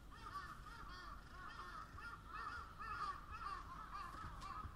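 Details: Crows caw in a thick, overlapping chorus, harsh calls pulsing around twice a second and swelling toward the middle, over a low background hum.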